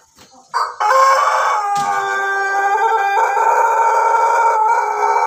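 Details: Domestic Pelung Bangkok cockerel recorded 17 May 2024, its laughing-style crowing here a long, loud, steady harmonic crow held for over four seconds after a few short opening notes, pitch shifting slightly partway through.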